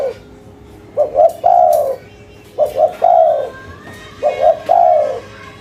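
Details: Local spotted dove calling in the cetrekan style: three evenly spaced phrases, each two quick clipped notes followed by a longer, softly descending mellow coo, in an otherwise quiet setting.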